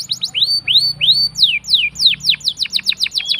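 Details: Canary sings arched rising-and-falling whistles, then quick downslurred notes tumbling in a rapid series, part of a long song meant to prompt silent canaries to respond.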